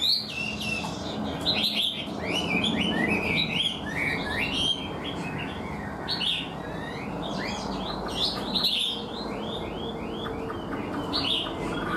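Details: Caged Chinese hwamei, an untrained bird that sings readily and fully: clear sequence of loud whistled phrases, many short notes sliding downward in quick series, over steady broadband background noise.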